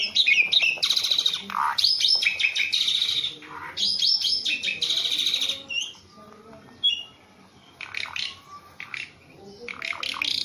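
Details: Javan pied starling, tame and caged, singing a busy mix of harsh chattering bursts, buzzy rattles and short clear whistles, with quieter gaps between phrases.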